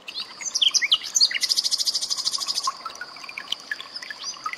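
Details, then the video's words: Common nightingale (sikatan londo) song prepared as training material for cage birds such as white-rumped shama: varied whistles and chirps, then a rapid buzzy rattled trill lasting over a second, with a steady high tone and trickling water behind. "SUARA BURUNG SIKATAN LONDO"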